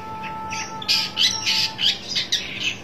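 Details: Long-tailed shrike seeking a rival, giving a quick run of five or six loud, grating, scratchy notes after a quiet start, with a low constant hum behind.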